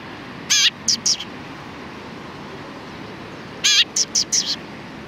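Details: Sparrows in back-and-forth chatter, recorded 31 October 2019: two bursts, each a loud rich chirp followed by two to four clipped high notes, separated by about three seconds of quiet.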